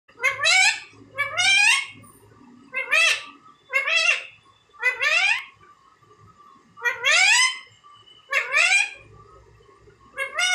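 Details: Indian ringneck parakeet talking like a human: loud, harmonic, speech-like phrases of about half a second each, given in irregular bursts, some rising and some falling, with quiet pauses between them.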